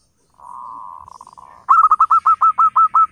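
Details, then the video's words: Zebra dove recorded as a lure for wild doves: a faint, even trill fading into a stutter, followed by a fast string of about ten clear, hooked cooing notes delivered at around three per second. "suara panggilan PERKUTUT LOKAL GACOR"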